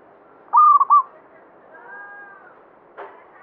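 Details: Vigorous song from a local banyumili zebra dove, a bird kept for its reputed luck; a single quick rolling coo of three pulsed notes, followed by faint tonal sounds and a brief click.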